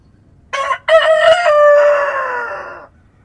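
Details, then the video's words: Rooster crowing at dawn in a countryside setting: a short harsh opening note, a brief break, then a long harmonic-rich crow that holds steady and slowly falls away over about two seconds, against a quiet background. "Rooster Crowing at Dawn"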